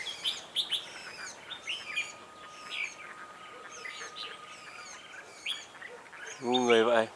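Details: Red-whiskered bulbuls at a trapping site, a decoy singing to draw wild birds into the trap; lively, warbled phrases and sharp chirps come in irregular bursts, and a man's voice is heard near the end.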